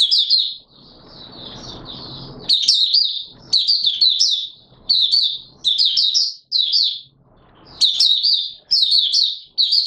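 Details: Open singing from an Oriental white-eye on 24 March 2022: a soft hiss, then energetic high chattering phrases of quick sliding notes repeated in bursts every second or so.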